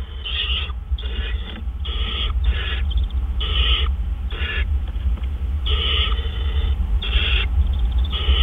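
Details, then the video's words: Owl at a nest at 4:03 AM on 12 April 2013 while food is delivered: a harsh, raspy burst repeats about every 0.7 seconds over a steady low hum. "Dale Delivers Treat"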